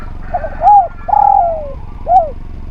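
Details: Spotted dove song intended as a tutoring and lure recording for other doves: three mellow, hoarse coos, the second drawn out and gently falling, the last brief and downslurred, over a faint low hum.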